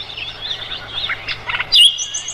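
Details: Mugimaki flycatcher song used to tutor other songbirds, such as the Oriental magpie-robin, in a rolling style. Rapid, varied high chirps and short warbled phrases give way to a louder, sharper whistled note with trills near the end.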